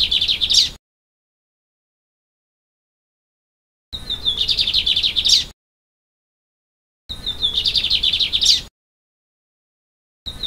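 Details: Free-living wild lined seedeater in open country at Vila Pavão, Espírito Santo, Brazil, sings short, bright phrases of rapid high twittering notes, each burst about a second and a half long.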